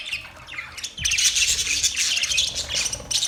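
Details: Budgerigars chirping: a quiet opening gives way to a loud, busy tangle of shrill twitters and rapid squawks that stay high and scratchy to the end.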